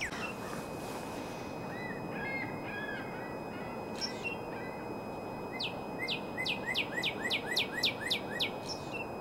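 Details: In April, a Northern cardinal after soft scattered notes breaks into a fast series of about a dozen short, sharply down-slurred whistles, each paired with a lower note, repeated several times per second.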